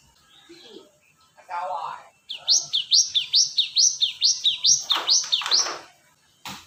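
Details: ['Cinereous tit lure recording: after a brief murmur of low sounds, a long run of about ten sharp, high two-note whistles, each dropping then jumping up again, delivered evenly and quickly, ending with a click.']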